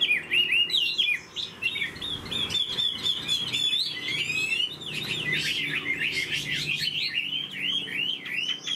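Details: A hand-carried caged hwamei delivers long, vigorous song: rapid chattering whistles and rolling trills in a continuous stream, loud and varied throughout.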